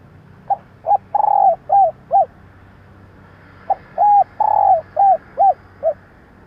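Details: Female spotted dove giving the call used to lure males: two similar phrases of short arched coos with a longer falling coo near the start, about two seconds apart.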